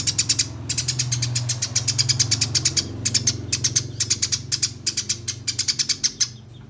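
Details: Fighting Eurasian tree sparrows give a long, nearly unbroken roll of sharp, high chirps, pulsing quickly with brief gaps, over a steady low rumble.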